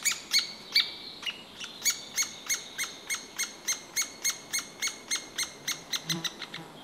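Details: A three-toed woodpecker chick being fed begs with rapid, high, squeaky notes, about three per second, in a steady run.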